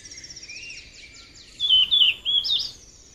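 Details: A wild yellow-rumped flycatcher sings vigorously, giving high, clear warbled phrases with quick slurred notes, the loudest bursts coming in the second half over faint background hiss.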